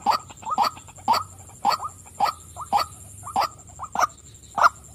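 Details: Female white-breasted waterhen giving loud, husky croaking calls, single or doubled, spaced about half a second apart, with a thin high hiss behind.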